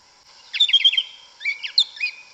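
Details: Wild yellow-legged thrush, the black sabiá (Sabiá Una), singing in Brazilian forest: a rapid run of trilled, warbling notes, then a pause and a few sliding, upturned whistles.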